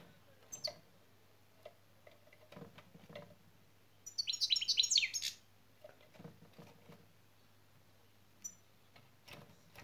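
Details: Goldfinch in a training context giving a brief, fainter flurry of high, tinkling şak şak notes about a second long. Soft clicks and room noises are heard around it.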